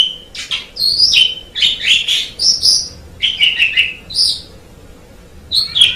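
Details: An Asian pied starling delivers a strong, varied tutoring song of sharp whistled notes, squeaks and chattering phrases, given in bursts with short gaps and a longer pause before a final phrase.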